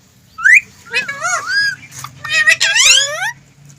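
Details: Green rose-ringed parakeet talking: loud, clear, speech-like phrases of gliding, squeaky whistled syllables, rising and falling in quick succession, with a faint low hum behind.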